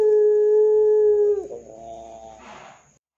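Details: Ringneck dove call meant to lure other doves into calling, in 'gacor dor' style: one long, even, deep humming coo that drops and breaks off, followed by fainter trailing notes and a short breathy hiss.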